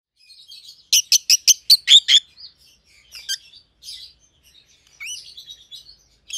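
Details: Pet rosy-faced lovebirds, a white-headed pallid opaline and a white-headed green opaline, chirping: a quick burst of six sharp chirps, then scattered softer twitters and a rising squeak.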